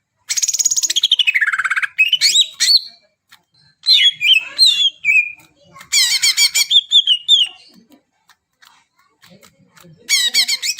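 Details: Greater green leafbird, lively song used to get silent birds singing: a swooping trilled phrase dips then rises, then varied whistles and chirps in separate bursts with short silences between.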